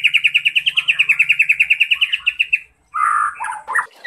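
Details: Speckled juvenile white-rumped shama firing off cerucuk filler: a fast string of about twenty-five identical sharp notes, then a pause and a few lower warbled phrases.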